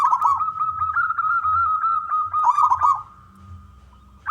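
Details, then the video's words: Persistent local zebra dove with a loud voice, used to lure others to sing: continuous overlapping cooing, with bursts of rapid staccato notes over a sustained tone that fades near the end, then one brief coo resumes. "perkutut lokal gacor suara besar"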